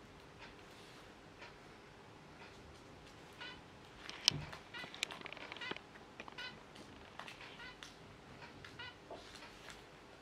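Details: Zebra finches kept at home with open cages give nasal, harmonic calls, scattered at first and then clustering into a busy burst of overlapping notes around the middle, with fainter calls continuing afterwards in a small room.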